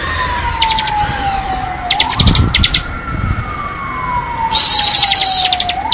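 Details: Bar-winged prinia ngebren song: scattered short ticking notes, then a loud harsh buzzing burst near the end, over a prominent slow siren-like rising and falling tone.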